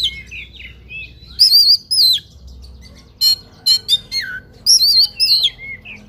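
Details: Oriental magpie-robin singing in fighting mode, its song packed with varied fill-in phrases: high whistled trills that rise and fall, sliding notes and clusters of sharp chirps, with brief pauses between loud bursts.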